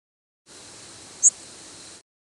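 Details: A Northern Waterthrush gives a single very high, thin, sibilant flight call, distinctly rising in pitch and relatively long at over 50 milliseconds, set against a steady hiss of background noise.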